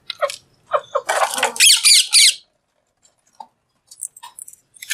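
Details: Green Alexandrine parakeet in a cage, talking while eating; a few short mid-pitched notes build into a long, loud, harsh screech, then a quiet pause with scattered soft clicks and chirps.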